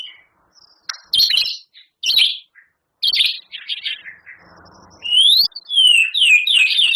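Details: Champion white-rumped shama song with mimicked canary, cililin and lovebird phrases: scratchy bursts spaced about a second apart, then a quick flurry of bright swooping whistles.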